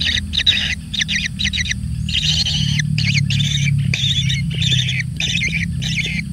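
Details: Lone kingfisher chick being fed generously: clusters of quick, high chirps at first, then longer scratchy, buzzing calls repeated with short pauses.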